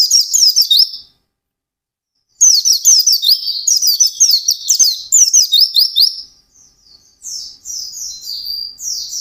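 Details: White-eye in full, intense song, its fast run of notes called ngalas: dense, very high, squeaky slurred notes tumbling in rapid succession. After a brief silence the bird restarts, and the phrases later grow softer and more scattered.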